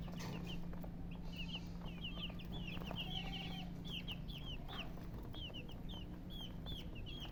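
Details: Baby chickens cheeping in a group: rapid bursts of high, thin, downward-curving peeps, busiest in the middle, then scattered single notes, over a steady low hum.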